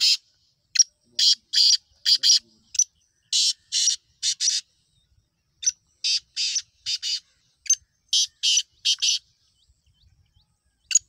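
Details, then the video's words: Black francolin, known locally as kala teetar: a series of short harsh broadband bursts, mostly single or paired, spaced irregularly through the clip with brief silences between, no other sounds. "Kala Teetar ki Awaaz"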